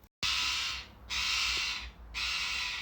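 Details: A rescued rose-ringed parakeet gives its fear call when approached: three harsh, raspy screeches, each nearly a second long, roughly once a second.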